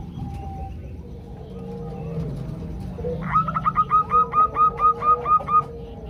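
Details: Female zebra dove calling to the male, played as a lure. Quiet background with soft tones and hum, then about nine crisp, evenly spaced notes at a steady pitch in the second half.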